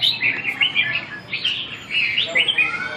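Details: Red-whiskered bulbul practising song, recorded 2 June 2012, delivering a fast stream of clear, liquid chirping notes in jumpy clusters, loud throughout, with brief pauses between phrases.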